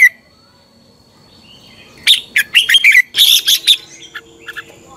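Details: Red-whiskered bulbul morning fighting song used to train birds: after a quiet start, a lively run of quick chirping notes builds into a dense, bright warbled phrase, fading into soft high whistles.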